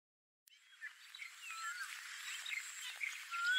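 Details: On 10 January 2021 at a fishing pond in Malim Nawar, Perak, Malaysia, sand martins twitter in a busy stream of short, dry chirps and rising notes, several birds overlapping, over a steady high insect-like hiss.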